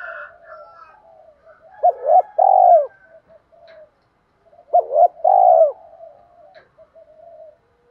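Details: Spotted dove lure voice meant to make wild doves respond. Two spaced phrases, each a quick double hoot and a long rolling coo with trailing arch, amid faint soft background notes.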